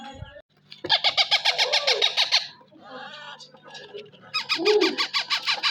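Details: Rose-ringed parakeet, described as a talking ringneck, kept as a pet indoors; harsh rapid squawks pulse in two loud bursts of about eight notes each, separated by quieter chattering.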